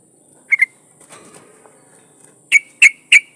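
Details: Yellow-vented bulbul female in breeding condition calls to a male: a quick double note, a pause with soft rustling, then three loud clear notes about a third of a second apart over a thin steady high hum.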